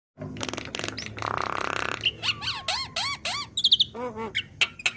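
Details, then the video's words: Young black-winged myna in a training recording: a harsh buzzy rasp, then rapid arched whistles and squeaky notes, clear high chirps and short repeated harsh phrases. "Masteran Burung Jalak Kebo Bahan / Jalak Kebo Muda | Pancingan Jalak Kebo"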